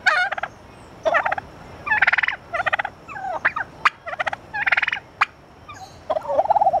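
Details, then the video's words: Turkeys at the San Francisco Zoo around Thanksgiving give rapid, rattling gobbles in bursts roughly once a second, with a few sharp clicks between them and a thin steady tone in the background. "the talking turkeys"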